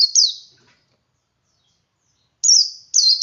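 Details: A male white-eye sings ngalas, a lure to set other white-eyes singing. A high slurred chirp fades out, followed by a long silence, then two bright descending high notes close together.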